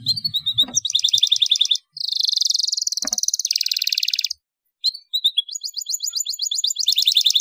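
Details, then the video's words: Canary singing 'ngeroll nembak', rolling and shooting, as a lure to teach young birds: fast repeated high notes, then a long sustained buzzy roll, a brief silence, and rising rapid trills. "SUARA CUIT CUIT KENARI NGEROLL NEMBAK UNTUK PANCINGAN KENARI MUDA BAHAN PAUD"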